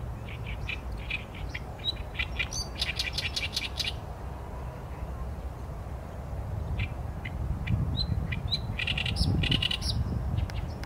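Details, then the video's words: Oriental reed warbler recorded on a Sony A7M3 camera, delivering two bouts of harsh, chattering song: rapid grating repeated syllables, a two-second pause, then more creaky notes ending in a loud rasping burst over low noise. "개개비 - Acrocephalus orientalis - 大苇莺 - bird song"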